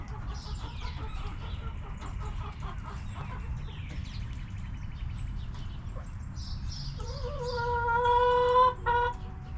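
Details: Back yard chickens around their coop: after several seconds of soft mixed chatter and small chirps, a rooster's loud harmonic crow rises near the end, held steady for almost two seconds before breaking off, over a constant low rumble.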